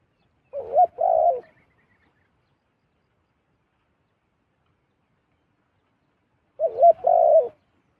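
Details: Wild zebra dove flying to a decoy bird repeats a soft coo phrase twice, roughly six seconds apart, each a quick looping note run into a fuller coo, in an otherwise silent setting.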